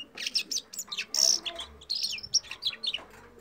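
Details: A Red Crossbill (Loxia curvirostra) gives a quick run of high, chirping and twittering notes, about three or four a second, with a few brief buzzy phrases mixed in.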